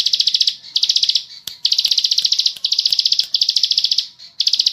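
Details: Bar-winged prinia, known locally as ciblek sawah, used as a training song: loud, high buzzy trilled phrases of rapid pulses, each about half a second to a second long, repeated with short gaps.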